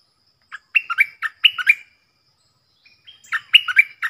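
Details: Decoy stripe-throated bulbul, its song meant to train young birds and lure wild birds: quick tumbling phrases of bright warbled notes, a pause of about a second, then the pattern returns, no background noise.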